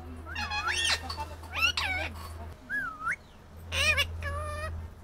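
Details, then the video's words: Indian ringneck parrot producing warbling, rising and falling harmonic syllables and a short whistled glide, with a steady low hum in the background. "Indian ringneck parrot talking/parrot sound"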